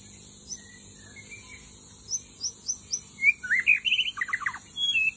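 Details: White-rumped shama song used as a forest lure: scattered soft whistles and high chips, then a loud rich phrase of rising whistles and a rapid descending trill, with a few bright notes at the end.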